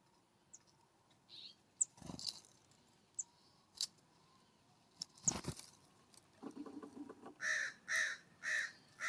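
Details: On a warm September morning at a ground feeder uphill from a cabin, a California scrub-jay gives four harsh, raspy calls in quick succession near the end, after scattered thumps, clicks and a few faint chirps.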